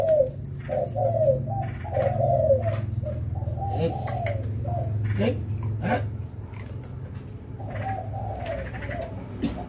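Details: Rainy-season training session for two wild-caught spotted doves: soft, repeated coos at the start and end, with a man's voice, clicks and a low hum mixed in, plus a steady high whine.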